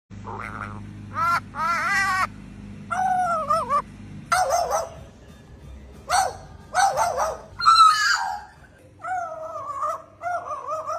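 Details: Crow imitating a dog's voice: a series of short, harsh bark-like bursts with stacked harmonics, some rising and falling, given singly and in pairs over a low steady hum, ending in two wavering drawn-out notes.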